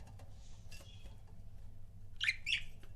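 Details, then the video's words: Budgie couple kept as pets, giving chirps: soft chattering early on, then two louder, close-spaced scratchy chirps near the end, with faint ticking and a low background hum. "CUTE BUDGIE COUPLES"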